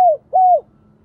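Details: A spotted dove decoy of the giọng thổ voice style calls. The tail of one falling coo is followed by a single mellow, gently arched coo, then quiet.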